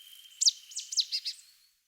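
A marsh tit gives a brief burst of sharp, high, quickly falling chips and short notes over a thin, steady high whine.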